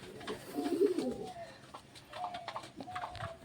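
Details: A domestic pigeon gives a low, throaty, rolling coo, with a person talking nearby, while pet pigeons and their grown young settle around a rooftop loft nook.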